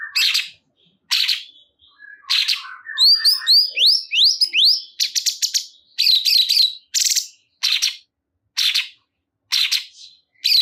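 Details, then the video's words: Cungkok bulbul delivers a lively string of short, harsh chattering bursts, roughly one per second, with a quick run of thin rising whistled notes near the start; no other sounds. "Burung Cungkok Anda Langsung Ikut Gacor"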